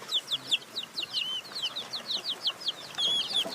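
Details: Hen chicks cheeping rapidly: quick, bright, high notes, some with little upward hooks, repeated many times a second over a soft hiss of background noise.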